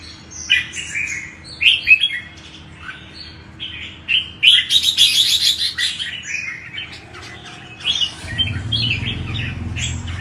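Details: Red-whiskered bulbul song played to prompt other bulbuls to sing: bright, varied whistled phrases in quick bursts with overlapping chirps, and a low hum rising near the end.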